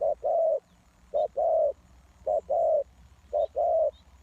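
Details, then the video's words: Lure call of a spotted dove for wild doves: a regular two-part coo, brief then longer and rounder, repeated about every one and a quarter seconds, with a few faint high chirps. "The Cu Gáy Mồi Đất,Kèo thơm lụm Mồi sảy,นกเขาใหญ่สายต่อดิน,Sound Of Cuckoo Bird่,Suara Tekukur Pikat"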